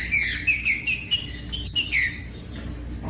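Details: Song of a green-winged saltator, used to stimulate captive birds into singing firmly. A run of short, bright slurred whistles, several dropping in pitch, repeated about every quarter second before fading out over a low background hum.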